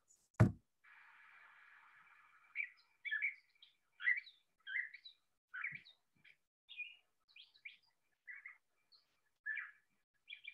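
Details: Gray Catbird in spring (April), Illinois: a rambling string of short squeaky, scratchy and mewing notes, each phrase different, roughly two per second, after a click and brief hiss.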